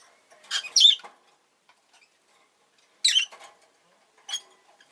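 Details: Pet rosy-faced lovebird giving harsh, shrill, high chirps in three separate bursts: a double burst near the start, another after two seconds, and a shorter one at the end, with quiet gaps between.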